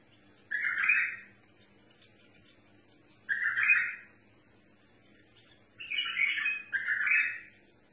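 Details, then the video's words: A bulbul, described as in a tame singing mode, gives four short, rich, bubbly phrases a few seconds apart. The last two come close together over a faint low hum. "بلبل طور مطاوعي"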